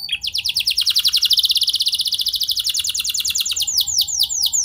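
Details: Canary song meant to prompt other canaries to join in and sing long. A very fast, even roll of high descending notes, slowing near the end into wider swooping syllables, over faint background hiss.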